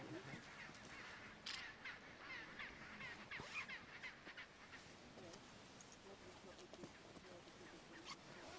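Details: Chinstrap penguins near Weddell seals at Hydrurga Rocks, Antarctica, in December 2009. Harsh, overlapping squawking calls with strong harmonic bands recur rapidly and irregularly over a constant windy background hiss.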